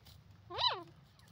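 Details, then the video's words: Grey francolin (teetar), recorded in India in 2023: a single loud, drawn-out nasal note that rises then falls, rich in overtones, against a low hum. "grey francolin and pheasant teetar ki awaz"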